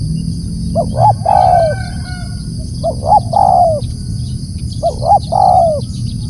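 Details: Spotted dove calling out loud, three phrases at roughly two-second intervals. Each phrase is two brief rising notes and a sustained soft coo that sinks at the end, with low background rumble.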